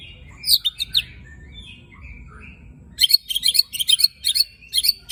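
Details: White-rumped shama (murai batu) with a rough 'tembakan' and 'besetan' song used to provoke other shamas: slurred whistles and thin notes, then a rapid series of sharp, buzzy, high chattering bursts.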